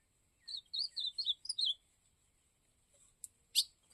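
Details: Ultramarine grosbeak from the Cariri region singing: a short phrase of sweet, slurred whistled notes that rise and fall, about six notes within a second, then a couple of sharp clicks, with a steady high hiss behind.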